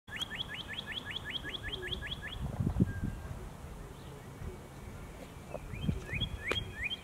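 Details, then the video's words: Northern Cardinal singing: a fast series of about ten rising slurred whistles in the opening two seconds, then quiet with low noise, and a shorter burst of similar notes near the end. "Northern Cardinal Singing"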